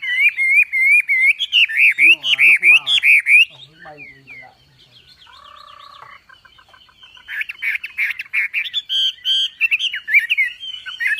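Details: Wambi, Javan pied starling, gacor masteran song: loud, rapid warbled whistles with harsh scratchy notes, a quieter middle with soft chatter and a low whistled note, then strong high whistled phrases resume.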